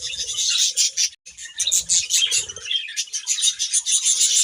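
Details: Several budgerigars chirping as they eat grass, a dense stream of high, rasping chatter and quick squeaky notes with a brief pause near the start and faint rustling below.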